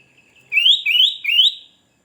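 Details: Sooty-headed bulbul used as a lure for wild birds and rivals, giving three loud, evenly spaced rising whistled notes in quick succession, each sweeping upward, with a quiet background.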